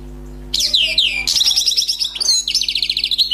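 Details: Wild European goldfinch, freshly trapped, delivering its song in bursts: sliding liquid notes, then a fast stuttering twitter and a final string of evenly spaced, buzzy chips. A constant faint low hum runs throughout.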